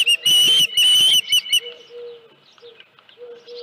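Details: Osprey calling at its ranch nest, 31 July 2018, with a headless fish at 9:43 AM; two strong piercing whistles in the first second and a half, then quiet, with soft lower tones trailing afterward.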